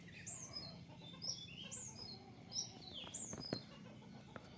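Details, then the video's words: Newly caught male Javan white-eye, being tamed and learning sounds: short high chirps, each a sharp downward slur with a softer echoing note, given in loose bursts about every second, with faint clicks and low background hum. "Konin ijoan jantan bahan baru dapat pikat dalam proses penjinakan belajar bunyi"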